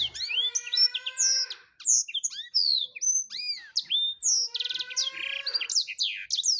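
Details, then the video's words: Black-throated canary singing a fast, unbroken canary-like song of high sweet whistles, slurred notes and buzzy trills, with no other sounds. "Burung blekstrut Gacor"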